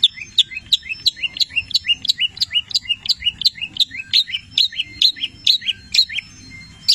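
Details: A long-tailed shrike (cendet) song recording full of mimicked labet and canary phrases: a fast, varied string of sharp high chirps and trills, about three notes a second, over a faint low hum.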